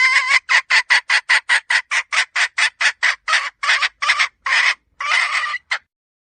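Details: Female red junglefowl calling, a sound used as a hunting decoy: a fast series of about twenty harsh, raspy clucks at a steady quick pace, the last few longer and more spaced before stopping, with no other sounds.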